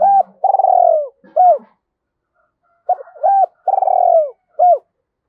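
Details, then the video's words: Decoy spotted dove cooing quickly to draw in other doves. It gives two phrases, each a short hooked note, then a long smooth falling coo and another short note, separated by a brief silent pause. "Chim Cu Mồi - cu gay kich boi nhanh noi gù"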